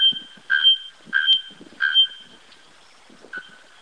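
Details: Bare-throated bellbird (araponga) striking a series of four loud, ringing metallic notes about two-thirds of a second apart, the last one softer, with faint low rustling or knocking sounds underneath.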